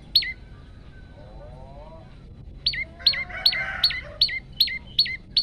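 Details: Olive-backed tailorbird male in full song, captured on a phone for use as a lure and tutor: one sharp chip, then eight rapid, evenly spaced high notes that each drop abruptly, with a brief harsh chatter and low wavering tones among them.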